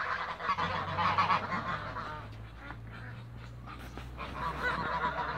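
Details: Toulouse geese in a backyard, flying and feeding, with a softer, more distant chorus of nasal honks, quieter in the middle and building again at the end, over a low hum.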